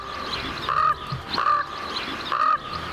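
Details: A Common Raven near a trailhead at Spruce Bog, Algonquin Park, in winter with snow-covered conifers, gives three harsh, nasal croaks, about one every second, each short and level in pitch, with a faint hiss of wind behind.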